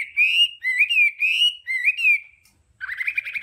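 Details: Hwamei 'đảo âm' song used for voice training: four smooth, mellow rising and falling whistled phrases, a short pause, then a rapid buzzy trill.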